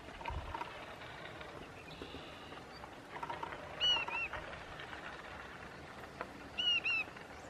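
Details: Saltmarsh sparrow in marsh at Parker River National Wildlife Refuge, Plum Island, Massachusetts, 14 June 2016, giving two short, sharp, slightly down-slurred call notes about three seconds apart over steady wind and marsh hiss.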